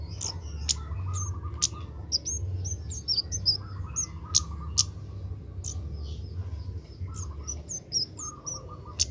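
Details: Juvenile Oriental magpie-robin learning its song: a run of quick high chirps, clicks and brief twittering whistles coming in loose bursts, with a recurring lower warbled phrase and a constant low hum behind.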